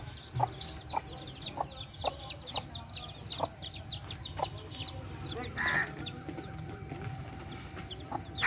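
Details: A hen with chicks: rapid high peeping from the young runs through the recording while the mother hen repeats soft, low clucks roughly every half second, with a brief brighter call midway.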